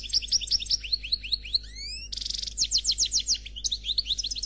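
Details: Caged European goldfinch of the Khalwi style, sung without faults: rapid series of rising high chirps, a few long upswept whistles, a dense buzzy burst, then more rhythmic repeated notes, lively and continuous.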